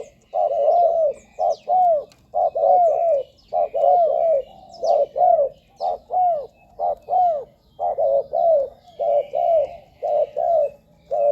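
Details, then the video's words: Spotted dove call used as a decoy to lure wild doves on the ground, on branches or to a trap cage. Steady run of soft, hollow, arched coo notes, grouped in pairs and triplets, continuing without pause over a faint low background hum. "เสียงนกเขาใหญ่ หมานๆ 100%"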